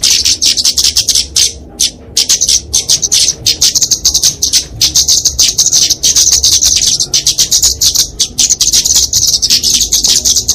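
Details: Kemade flowerpecker (genus Dicaeum) giving its fighting song, used to tutor and lure small birds: very high, rapid ticking chatter in long dense bursts, broken by brief pauses near two seconds, with no other sounds.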